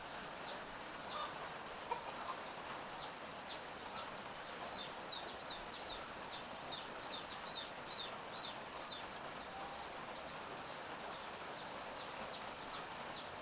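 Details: Morning in a village with gentle drizzle: chicks peep in high, sharply falling notes, sparse at first and then crowding into rapid overlapping bursts. A steady rain hiss fills the background.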